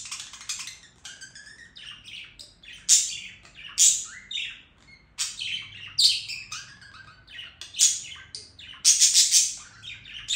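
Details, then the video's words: Budgerigar in full song, a dense, energetic mix of high squeaky notes, rapid clicks and buzzy rattles, with loud sharp bursts clustering toward the end. "Periquito Australiano Cantando"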